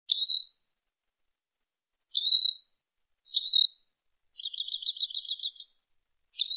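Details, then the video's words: A robin calls: three thin, high chirps spaced over a second apart, a quick dry stuttering rattle lasting about a second, then another chirp, with no other sounds. "Robin calling sound"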